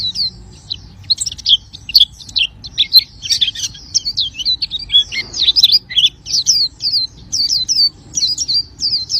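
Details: Oriental white-eye in lively, sustained song: a dense, rambling stream of very high twitters and short slurred whistles, with no clear pauses, over soft low background noise.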